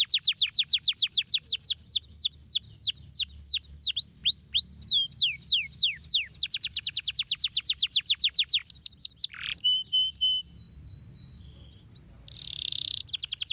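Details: Canary song used to stimulate lazy canaries into singing: rapid trills of descending whistled notes, shifting between fast and slower rolls, then a few sharp clear notes and a brief harsh burst near the end.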